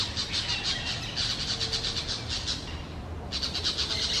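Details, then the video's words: A couple of parrots singing in low forest with large trees: a quick series of harsh, buzzy pulses, a brief pause, then the pulsing chatter resumes. "couple of parrots sing between the large trees of the low forest"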